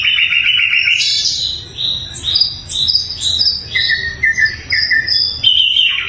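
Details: Clear, loud song of a sikatan londo flycatcher used as a training recording for songbirds. A buzzy opening phrase and a harsh high burst lead to a run of short, clear whistled notes at shifting pitches.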